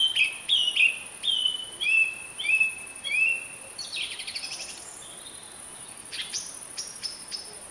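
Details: Song thrush (Turdus philomelos) singing: a short whistled phrase repeated several times in quick succession, then a burst of buzzy, rattling notes and a few high thin chirps, over a steady high-pitched hiss.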